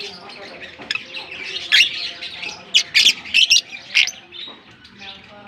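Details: African lovebirds kept in a colony give a series of sharp, scratchy squawks and chirps, clustered into a rapid run of four loud bursts, with a faint low hum beneath.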